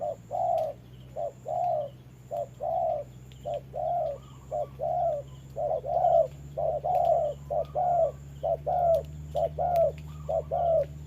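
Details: Spotted dove used as trapping decoy, sparring with a wild bird while it rains: long sequence of mellow coos, brief notes alternating with sustained ones, growing denser toward the end, over low electrical hum and faint clicks.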